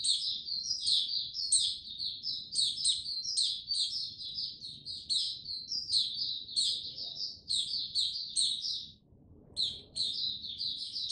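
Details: White-eye male on 06-03-2022, slowly gaining confidence before singing fully: long run of fast, shrill twittering notes with frequent sharp squeaks, one brief pause near the end before the chatter resumes.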